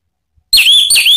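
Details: Orange-headed thrush (Geokichla citrina) song gives two loud, rich warbled phrases, each sweeping down then up in high whistled notes, after a brief silence. It is used as a lure to make other birds answer and as therapy for birds that have stopped singing.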